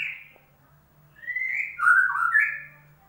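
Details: White-rumped shama song played as a lure to restart a silent bird: one long flowing phrase of slurred whistles that rises, dips and rises again, over a soft low hum.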